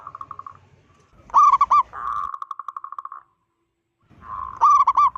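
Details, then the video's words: Local zebra dove with a big voice, calling to provoke other zebra doves: pulsed trilling coos and loud staccato bursts, a long even trill, a silent gap, then more staccato notes. "Perkutut lokal gacor suara besar - Panggilan perkutut Ampuh BIKIN PANIK perkutut lain"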